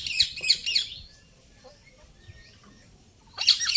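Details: Indian ringneck parakeet, a talking parrot, giving three rapid shrill screeches, a long quiet pause with faint soft notes, then another harsh screech.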